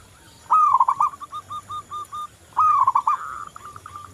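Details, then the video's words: Local zebra dove singing vigorously as a lure for other doves. Two phrases: each opens with a rising, rolling coo, followed by a string of clipped, evenly spaced notes. "Perkutut lokal Gacor Anti Galau"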